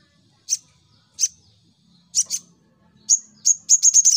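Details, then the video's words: Sunbird (sogok ontong) singing in full fighting mode: sharp high chirps spaced about every half second, then a rapid run of repeated high notes speeding up at the end. "Burung SogokOntong N3mbak Full Fighter"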